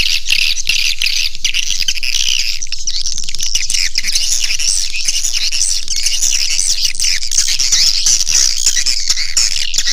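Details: Swiftlet caller sound for attracting swiftlets: a dense, continuous flock of high, scratchy twitters and squeaks, layered with a steady low background hum.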